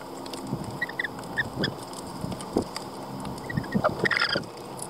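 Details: Lorikeets giving short chirps near the start, then a harsh, screechy burst of rich overtones near the end, with scattered clicks and a steady low mechanical hum throughout.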